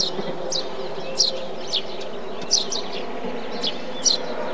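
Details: In a bee-eater colony a Eurasian tree sparrow repeats clipped, descending chirps about every half second to second, against a dense low background murmur.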